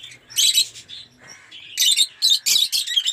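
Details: Several caged lovebirds of colour mutations including Rosy and Off Pallid chatter with dense, piercing screeches and squeaks, the bursts coming fast and overlapping near the end.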